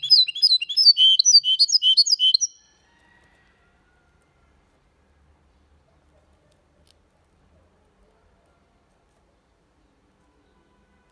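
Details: Goldfinch × canary mule singing clean Malaga-style song, meant for tutoring young birds and prompting males: two and a half seconds of quick, lively twittering notes, then long silence before a final click.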